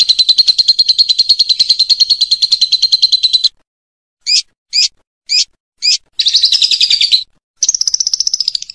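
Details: Lovebird ngekek for training other birds: a fast rattling trill for three seconds, four separate sharp chips, then two more short bursts of rapid chatter.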